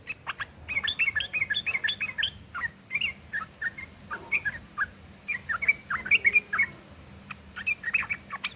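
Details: Yellow-vented bulbul in a rough fighting song meant to provoke replies; busy stream of short slurred and chattering notes with brief lulls, over a steady low hum and hiss.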